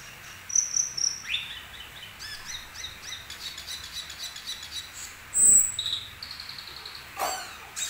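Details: Asian glossy starling singing a song rich in imitated phrases: scattered thin high whistles and sharp chirps, short upslurred notes, a louder whistle near the middle and a sharp click near the end, over faint background hiss.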